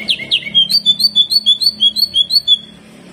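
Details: Two harsh falling notes, then a brisk regular series of short high piping chips, about three per second, from a greater green leafbird singing 'kejet kejet' hyper style.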